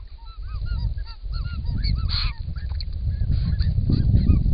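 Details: A group of wild Australian White-winged Choughs drinking at a pond, caught on a camera trap, giving a busy chorus of short, curved, whistled notes, several per second, with loud low rustling and flapping underneath.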